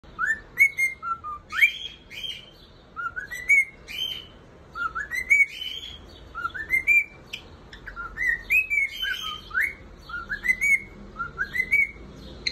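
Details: Male cockatiel singing: loud whistled phrases of rising, slurred notes mixed with chirps, each phrase climbing in pitch, repeated about every one to two seconds over a quiet background.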